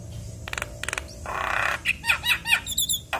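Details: Javan myna song used to provoke other mynas into singing; after clicking, ratchet-like rattles and a hiss, a string of sharp upslurred whistles and harsh chattering notes follows.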